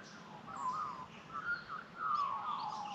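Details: In Australian bush at sunrise, Australian magpies sing to welcome the day: smooth, gurgling fluted notes in three short warbling bursts, with faint high chirps from other birds.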